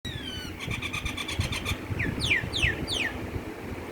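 A myna gives a quick run of about a dozen clipped notes, then three or four sharp falling whistles, over a low traffic rumble.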